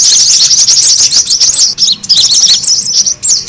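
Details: Lure calling of brown-throated sunbirds to attract birds. Quick, high, looping chirps repeat at a rapid pace, overlapping in a jittery chatter with one brief dip before the noisy twittering resumes.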